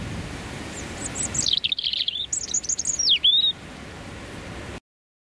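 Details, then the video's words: A male European Robin sings his territorial song from 30–60 cm away on a freezing January morning with a biting northerly wind, amid London rush hour: a thin, high, varied twittering phrase ending in a sliding whistle over steady traffic rumble. "a male European Robin Erithacus rubecula singing"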